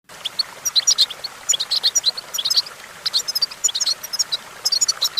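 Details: European goldfinch perched on a branch, singing in bursts of high, thin twittering chirps and tinkling notes, grouped into quick clusters separated by brief pauses, with a faint hiss in the background.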